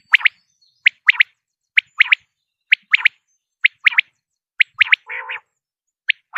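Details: Common quail, male and female sounds, used as a hunting lure. Steady series of crisp double and triple notes about once a second, with one low buzzy rasping call near the end.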